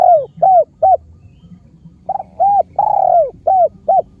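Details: Khmer spotted dove repeating its cooing phrase twice: clipped hollow coos leading to a long, slightly buzzy falling coo, then two shorter arched coos, delivered steadily with a soft low hum underneath.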